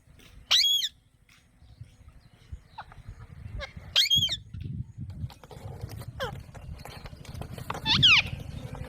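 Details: Alexandrine parakeet giving three separate harsh, screeching squawks spaced a few seconds apart, with a low rumbling background noise.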